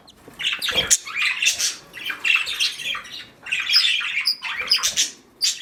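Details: Nesting budgerigar mother on duty, producing harsh scratchy squawks and chatter in long rasping bursts, broken by short gaps, indoors.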